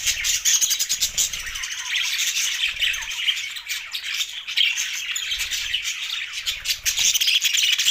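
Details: Budgies squawking and chirping in a constant, dense, scratchy chatter that barely pauses.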